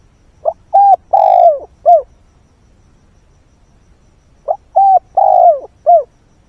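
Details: Spotted dove used as a decoy, cooing at dawn to draw in wild birds. Two identical phrases about four seconds apart, each a brief lead-in note, a clear coo, a long falling coo and a short final coo.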